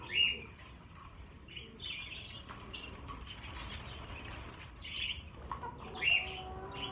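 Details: About fifty budgerigars in a cage, moved to a bigger flight cage, produce a sharp loud chirp at the start, scattered warbling chatter, and another loud chirp near the end.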